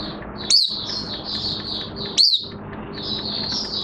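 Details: Caged Oriental white-eye in minor moult, 3 June 2022: two loud, sharp, high up-and-down chirps spaced under two seconds apart, standing out over a constant bed of soft high twittering and low hum.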